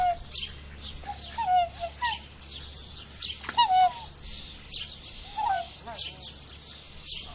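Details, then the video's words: Swan in France giving short, nasal, honking notes, several falling slightly in pitch, spaced irregularly every second or so, with soft rustling and breathy background noise. "Som de cisne na França"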